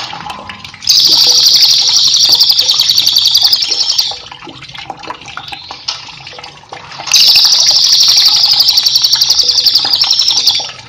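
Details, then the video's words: Lively cililin song, offered as a master recording for teaching cage birds: two bursts of fast, high, pulsing trill lasting about three seconds each, with a softer pause between them, set against flowing water. "cililin gacor cocok untuk masteran"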